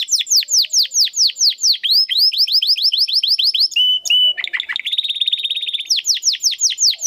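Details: Vigorous domestic canary with a crystal-voiced song style, recorded as master song for training competition birds: loud, high, downward-sweeping whistled notes repeated rapidly, then a steady whistle, buzzy rattles and a fast rolling trill, returning to sweeping notes.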